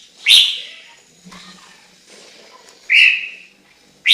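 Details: Chinese hwamei singing: loud, clear whistled notes at a high pitch, each with a brief ringing tail, sounding about every two and a half seconds against a quiet background.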